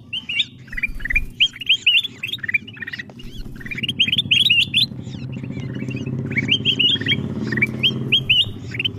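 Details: Ruby-throated bulbuls heard as a lure for wild birds: long chattering series of quick upslurred whistles in clusters, many birds overlapping, with a constant low engine-like drone underneath.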